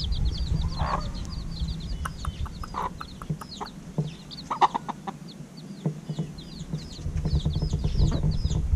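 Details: Little domestic chicks, just over a week since hatching, peep steadily at their evening feeding while sharp clicking and tapping sounds, likely from feeding, punctuate the clip alongside a low rumble.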